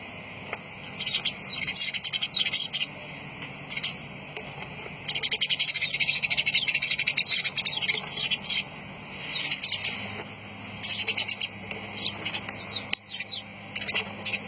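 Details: Dense, shrill chatter from lovebirds, high-pitched chirps piling up in loud bursts lasting several seconds, broken by brief quieter gaps, with a steady low hum underneath.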